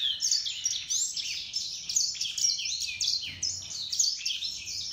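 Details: Hybrid of grey singing finch and canary sings a dense, bright warble of quick high twitters, downslurred whistles and short trills, carried on without pause.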